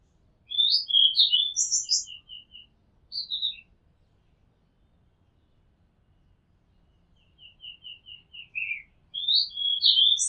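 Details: Oriental magpie-robin song recorded from a house rooftop: bursts of varied chirps and sharp high notes, a series of short even pips, a long quiet gap, then more pips and a lively warbled phrase.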